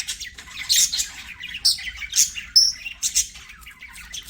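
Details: Playing budgies give scattered sharp high chirps, a few thin whistled notes and short scratchy squawks, spaced out with quiet gaps between.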